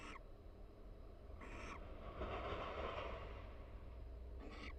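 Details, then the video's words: Barn owl pair in a nest box at the University of Florida, breeding season, quietly chatting while preening each other to reinforce pair bonds; short breathy hissing bursts at the start, near 1.5 and 4.5 seconds, with a longer soft rushing sound midway over low hum. "Sweet Conversation: Barn Owl Pair Chats and Preens Inside the Nest"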